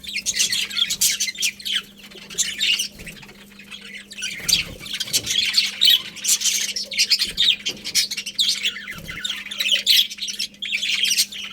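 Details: Budgies chirping as a colony in nonstop, busy chatter of scratchy, twittering notes and squawks, swelling in waves over a low electrical hum.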